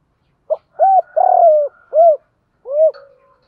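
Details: Spotted dove coo used for training captive birds: a clipped short note, an arched coo, a long rough coo, another arched coo, then a final lower coo trailing off.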